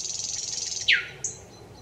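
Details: Thrush nightingale song phrase from 25 May 2021: a fast, high buzzing trill ends in a sharp downward-sweeping note, then one short pure high whistle.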